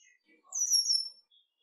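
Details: Male red-winged blackbird with a pale yellow wing bar; a single thin, very high whistled note drawn out for about half a second and sliding slightly downward, otherwise near silence.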